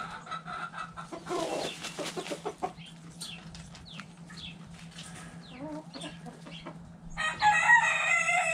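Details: Backyard chickens in the dirt: hens clucking softly amid rustling and wing flaps, then a rooster's loud, harsh crow begins in the final second and a half.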